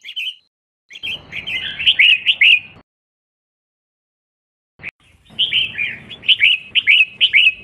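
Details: Calls of a female red-whiskered bulbul used to excite males into singing, given as rapid chattering runs of clear, bright notes, split by a long silent pause, with a low background hum during the phrases.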